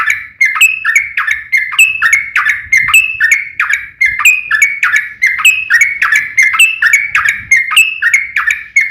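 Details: Yellow-vented bulbul in lively fighting song with long rapid trills, used to provoke other bulbuls to answer; bubbly, slurred notes with sharp clicks, about three per second, run on steadily for nine seconds with a faint low hum beneath.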